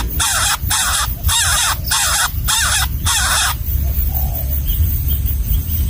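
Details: Hungry nestling in its nest being fed a gecko by a parent, giving six loud grating begging rasps in quick succession before falling silent, leaving low rumbling background sound.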